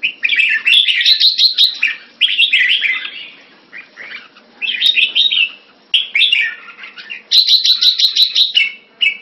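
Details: Jambul, the red-whiskered bulbul, kept in a cage, delivering loud bursts of rapid chirpy trills in phrases of about one to two seconds separated by short silences.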